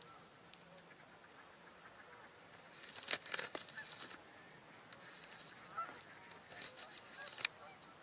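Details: Harsh, nasal Mallard quacks from a distant flock on a wetland at 28 degrees, among gadwalls and geese, come in short ragged bursts against a soft background hiss.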